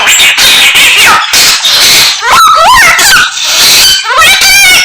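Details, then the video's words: Samyong in full song, packed with imitations of many other birds. The sound is loud and dense: harsh rasping notes mixed with sliding whistles that rise and fall, and quick bursts of varied phrases with short pauses between them. "Samyong Gacor full isian Burung Sak Kebon Dadi siji"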